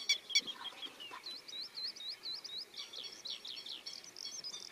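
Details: Grey-headed lapwing chicks near a parent in which one chick had first been hiding, 27 May 2020: two sharp loud calls open, then a rapid run of thin, high, wavering peeps repeated several times a second.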